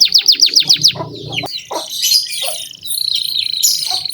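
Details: Lively canary song meant to prompt young canaries to sing: a quick run of falling whistled notes, then assorted chirps and buzzy fragments over a faint low hum.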